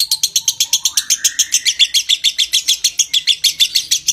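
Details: Konslet-style long ngekek of a lovebird, aimed at stimulating breeding condition: quick, evenly spaced piercing chatter notes, with a soft rising whistle underneath during the first second.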